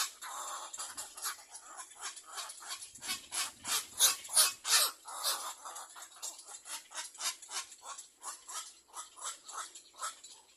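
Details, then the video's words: Little black cormorant chicks waiting for their mother to bring food give a long run of rasping, broadband begging notes, about three per second, loudest in the middle and fading toward the end. "Little black cormorant baby Birds release while waiting for their mother to feed."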